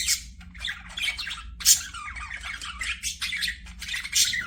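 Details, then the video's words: Budgerigar chirping: rapid, buzzy chatter mixed with sharp squeaks, and a loud harsh squawk midway through the burst of warbling. "PARAKEET NOISES"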